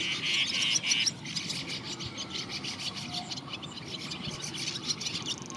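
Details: Young brown rock chat giving a few clear, high squeaky chirps at first, then a continuous softer stream of rapid scratchy ticking notes over low background hum.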